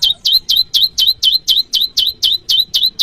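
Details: Bar-winged prinia variation call, meant to draw rivals and lure wild prinias: a fast, even string of loud high notes, each a downward flick into a short level tail, about four every second, with no other sounds.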